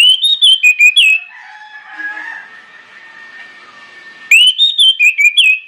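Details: Orange-headed thrush, loud lure song played to prompt other birds to sing. Two brisk phrases of slurred, rising and falling whistles come about three seconds apart, with a faint background hum between them.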